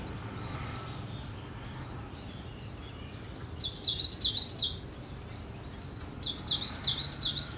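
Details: Cinereous tit singing: two separate bursts of rapid, ringing, high notes, each a rhythmic see-saw phrase of about eight notes lasting roughly a second, with soft background hiss between them.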